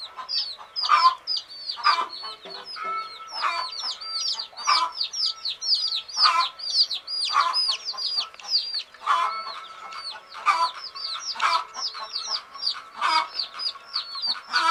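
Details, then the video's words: Baby chicks of a hen, sleeping, produce a long continuous chorus of high, curved peeps, crowded and overlapping, with rhythmic louder bursts at irregular intervals of about a second. "Fun Sleepy "Chicks Chirping" Sound of Gallina Babies"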